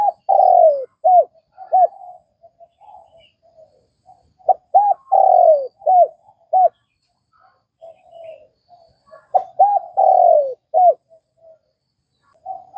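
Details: Cooing of a spotted dove from Vietnam, phrases of short hooked notes with a long sliding-down coo, repeated roughly every five seconds with faint murmurs between.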